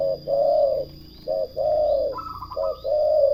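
A turtle dove gives three low, purring coo phrases, each a short note followed by a longer drawn-out one. A brief higher chirping series from another bird and a faint steady whine are also heard.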